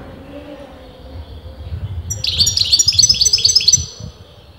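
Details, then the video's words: European goldfinch singing, its sex a matter of disagreement among breeders; a lively string of bright, evenly spaced twittering notes about every fifth of a second, over a low background rumble. "غناء متواصل لمقنين"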